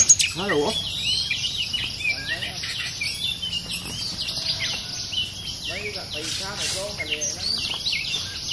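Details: Fierce territory-holding oriental magpie-robin confronting a decoy cage set out to lure it: dense high chattering, scratchy and whistled notes tumbling over one another throughout, with short low voice-like sounds near the start and again around six seconds.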